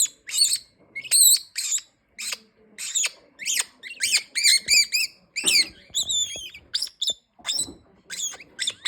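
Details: Green-winged king parrot calling in a quick series of harsh, chattering squawks with shrill overtones, the bursts coming in an uneven but steady run about every half second.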